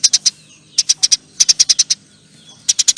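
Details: Eurasian tree sparrow, a chatty singer, gives clipped high chirps in short clusters of three to six, spaced by brief silences, in a quiet setting.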